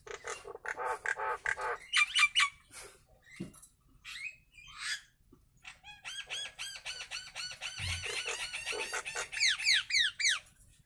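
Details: Nias hill myna in its natural voice produces a varied run of loud notes: buzzy bursts and squawks, then a long stretch of rapid, regular, clucking and chattering notes that become sharply rising toward the end.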